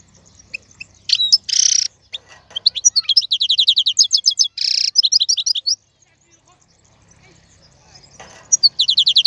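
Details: Wild-caught male European goldfinch singing to tutor chicks: scattered chirps, two harsh buzzy rasps framing quick twittering runs, a pause with faint low hum, then renewed bright twitters.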